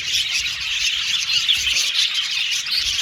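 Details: Many captive budgerigars singing at once in an aviary, giving rapid high twittering and buzzy chirps that blend into one unbroken chorus.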